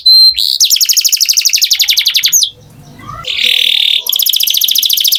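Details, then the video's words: Canary singing a fast, even trill of repeated notes, a short rough quiet pause, then a buzzy sustained tone and another rapid high trill. "Canary Singing Beautifully"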